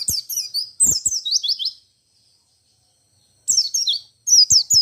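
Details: White-eye singing ngalas ngerol, a song said to prompt other white-eyes to reply: two quick runs of thin, high falling chirps, a pause, then further chattering bursts.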